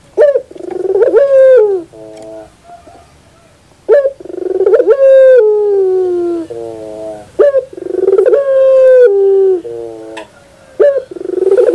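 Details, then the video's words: Puter pelung dove in the morning giving repeated song phrases, each a quick rolling burst followed by a long, level coo that drops slightly and ends in a softer, lower note. "the beauty of the sound of puter pelung in the morning"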